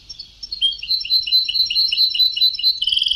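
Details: Old taped European goldfinch singing sabtawi (Ceuta-style) song: a continuous stream of quick, bright, chattering twitters at a steady rapid pace, closing with a buzzier, more rolling flourish.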